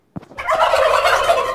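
A turkey gives a loud, rapid, bubbling gobble. The rattling burst rolls on for over a second after a brief soft note.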